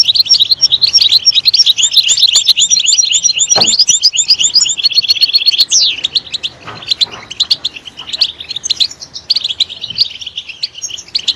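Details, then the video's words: European goldfinch song intended to stimulate goldfinches; a long, energetic outpouring of fast, bright twitters and trills, easing into looser, more spaced chirps and a few downslurred notes toward the end. "Stimulating a goldfinch clip to make it chirp in a loud and wonderful voice"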